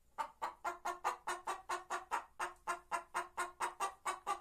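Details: White Leghorn hen singing, a steady series of short, hoarse clucks repeated about four times a second, with faint background hum.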